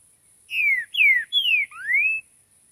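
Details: Rufous-bellied thrush singing in nature: four clear whistled phrases, three sliding downward and the last rising, delivered in quick succession over a steady faint high hiss.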